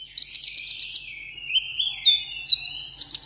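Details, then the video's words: Vietnamese pet sunbird singing solo for a contest: it opens with a fast buzzy trill, then gives gliding whistled notes that drop and rise, ending in another high rattling trill. "hút mật 7 màu hót đấu solo"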